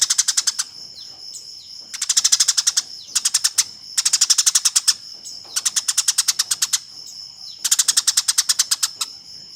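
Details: Fighting Eurasian tree sparrow, recorded as a master for tutoring contest birds: five chattering bouts of fast, scratchy chirps in about ten seconds, separated by brief pauses, with a constant high-pitched tone running underneath.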